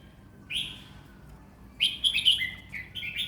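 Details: Red-whiskered bulbul kept as a competition cage bird, a four-round contest bird, singing relaxed phrases: a short whistled note, a pause, then a rapid run of warbled, slurred whistles rising and falling.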